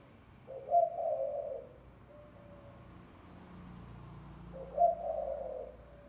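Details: Spotted dove lure call, two low husky coo phrases about four seconds apart, each opening with a bright accented note, with a faint soft coo and a low hum between them.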